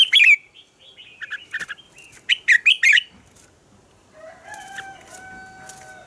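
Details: Morning song of a red-whiskered bulbul, the double-note style of a mature wild bird: a loud opening burst, then rapid clipped chirps and trills for three seconds, followed by softer, long, steady whistles.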